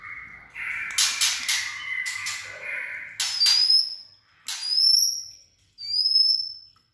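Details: White-rumped shama with a steely-toned voice: lower whistled phrases with crackling clicks, then three separate very high thin whistles, each slurred slightly upward, roughly one per second.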